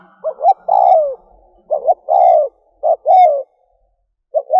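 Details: Luring call of a spotted dove decoy. Rapid twin notes are followed by a long, slightly falling coo, repeated three times in quick succession, then a final short pair. A faint low hum is heard in the background.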